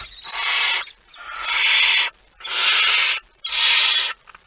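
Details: Harsh, airy hissing from a barn owl at the nest with prey, 23 September 2019. Four long sustained blasts of about a second each follow one another with brief pauses.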